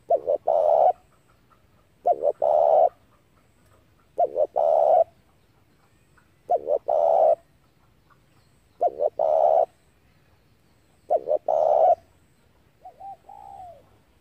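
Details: Decoy spotted dove repeating its call to attract wild doves to a trap: six steady phrases about every two seconds, each paired short coos then a longer coo, ending with a faint falling coo.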